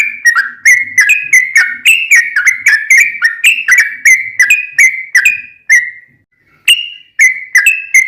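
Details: Sooty-headed bulbul in lively 'gacor' song, used to provoke other bulbuls into answering: a steady string of bubbly, slightly falling whistled notes about three per second, with one brief pause before the notes resume.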